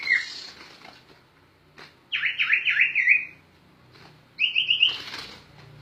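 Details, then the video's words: Sirtu bird in gacor ngerol song for training other songbirds: a buzzy call, then a quick series of about six downward-swooping whistles, a pause, and a short fast high trill over a low background hum. "Suara Burung Sirtu Gacor Ngerol Untuk Master"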